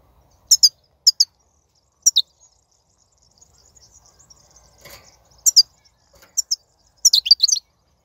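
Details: Wild European goldfinch batbata song recorded in 2019, played to stimulate caged goldfinches to sing: short, sharp high twittering notes in pairs and small clusters, separated by pauses of about a second, ending in a quick tumbling run of notes.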